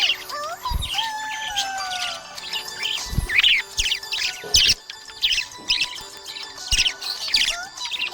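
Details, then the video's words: Happy budgie, or budgerigar, chirping: bursts of scratchy, buzzy high chirps and short warbles repeated roughly every second, with a few lower gliding whistles and steady tones running underneath. "Happy budgie chirping sound"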